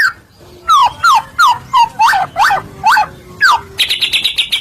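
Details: White-rumped shama song, used as a lure to provoke other shamas into singing: a run of loud, clear downslurred whistles, one after another, ending in a buzzy, higher trill.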